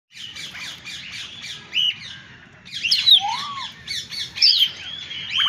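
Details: Several birds calling together: harsh squawks mixed with high whistled and chirping notes, one clear descending whistle near the middle, and bursts of overlapping calls through the second half.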